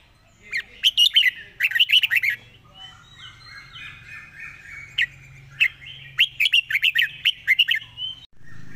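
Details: Red-whiskered bulbul in fast 'zone' song, quick-beaked and rapid: bursts of loud chirping, warbled notes separated by a softer continuous twittering passage midway, then a dense rattling run before a sudden thump at the end.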